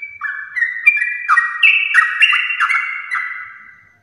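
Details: Yellow-vented bulbul of champion lineage, a house-kept bird, singing in the long rapid 'gacor ropel' style used to prompt other pet bulbuls: bubbling whistled notes stepping up and down in quick, tumbling phrases, fading out at the end.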